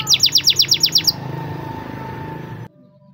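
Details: Canary with Timbrado training song: a short burst of rapid descending high notes for about a second, then only background noise and hum before a sudden quiet.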